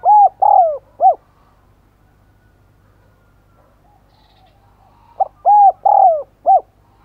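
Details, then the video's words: Spotted dove used as a lure bird, cooing persistently: a four-note phrase of deep, hollow coos with a falling middle note, a silent pause of about four seconds, then the same phrase again. "Chim Cu Mồi Thúc Gáy Gọi Mới Nhất / Kích Bổi Siêng Gáy , Có Cả Thúc"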